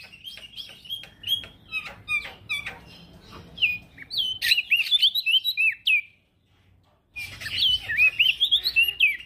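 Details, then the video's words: Active male prinia (prenjak daun) song used to teach opior jambul birds: dense chattering chirps and slurred whistles, a bright warbling run, short silence, then another lively twittering phrase. "Prenjak daun Jantan gacor"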